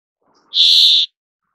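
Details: Single buzzy, rasping brambling call held flat for about half a second, with a faint low murmur beneath it.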